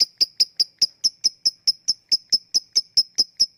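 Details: Ticking 'ngetik' calls of a lovebird, played to coax reluctant lovebirds into singing. About seventeen short, bright, high clicks are evenly spaced, roughly four to five per two seconds, with a quiet background.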